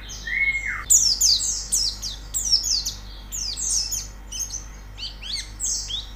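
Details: White-eye song for pleci singing practice; opens with a lower, falling whistle, then bursts into quick, high, scratchy twitters that gradually become sparser and softer.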